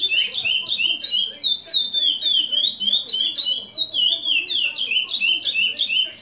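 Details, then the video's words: Curió song of the Selo Prata FH 30 anos type from a former breeding male, taken from original training CDs: bright, rapid whistled notes sliding downward, chained in quick repeating modules with almost no pause. "CURIÓ NO SELO PRATA FH 30 ANOS"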